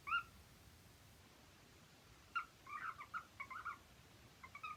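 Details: Happy singing cockatiels give one short whistled note, then after a pause a run of brief chirpy whistled notes in quick succession, then a few more near the end, softly against a low steady background hiss.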